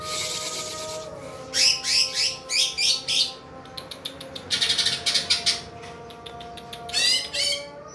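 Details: Greater green leafbird kept as a fighter bird in full song: bursts of high, rapid, chattering trills and squeaky notes in short loud phrases separated by pauses, over a faint steady background hum.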